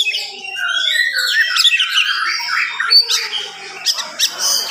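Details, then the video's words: Fast morning singing by an oriental magpie-robin, meant to stir up other magpie-robins. Varied whistled phrases and harsh chatter run together, with some lower sustained tones underneath early on. "SUARA KACER GACOR DIPAGI HARI SPEED RAPAT cocok untuk naikin emosi kacer yang dengar"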